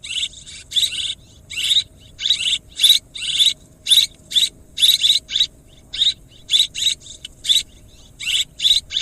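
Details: Swiftlet lure sound for swiftlet farming, a steady run of sharp buzzy twittering chirps repeated in quick irregular groups, each bright note brief, over a quiet low background hum.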